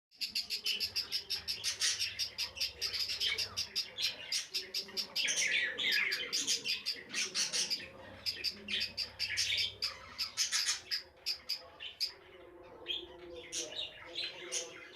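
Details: Budgerigar chicks in a breeding colony chirp and chatter in a busy, overlapping stream of high, scratchy calls.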